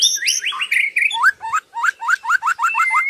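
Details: White-rumped shama in continuous song: rough stepped whistles followed by about ten quick rising whistled upslurs repeated evenly.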